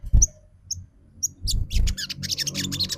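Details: Snowy-browed flycatcher lure sound, trotol style, meant to provoke song: a few isolated thin high pips, then a rapid scratchy twittering run, over low thumping.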